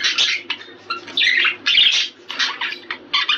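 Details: Budgerigar warble used to encourage mating: scratchy bursts of chatter mixed with brief whistled notes, broken by short gaps.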